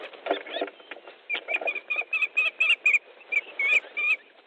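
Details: Fish delivery at an Estonian osprey nest, evening of 13 July 2014: after some low scuffling sounds, a series of clear, high whistled notes comes in short repeated bursts, each note slightly rising then dropping.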